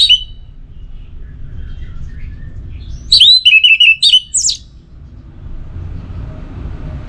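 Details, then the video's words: Kept orange-headed thrush giving pacing-style song: a loud whistled burst at the start, then after a pause a rapid run of high, clear, slurred whistles with a final rising note, over a steady low hum. "Memacu Burung ANIS MERAH dengan Suara Pacingan Agar Selalu Berkicau Pagi Siang Malam TIdur"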